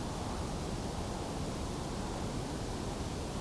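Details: Steady broadband rushing noise like wind or running water, with no animal calls heard.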